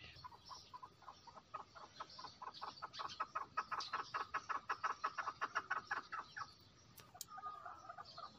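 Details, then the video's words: Female chukar calling: a long, steady run of hoarse, clucking chuk notes, about three per second. The notes grow louder and quicken in the middle, then fade, followed by a few softer notes and faint clicks. "Female chakor voice.keklik sesi. Female chakor sound. female chakor awaz."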